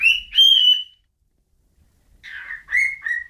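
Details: A bird whistles two long, clear, slightly rising notes, falls silent for over a second, then resumes with a rough note and two more level whistles.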